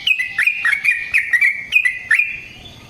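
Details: Sooty-headed bulbul in long rapid song used to lure and train other birds: a steady chain of clear, slightly rolling chirps, roughly five per second, fading into quiet at the end.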